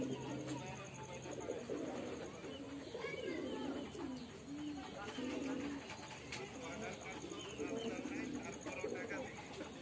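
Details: Domestic male pigeon kept at a house, giving low rolling coos in repeated phrases, with human voices talking alongside and steady background hum.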